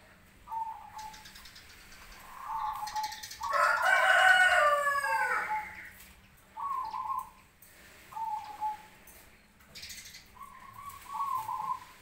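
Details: A Cemani zebra dove gives short, soft, melodious cooing phrases every couple of seconds, answering other doves; a rooster crows loudly over them midway.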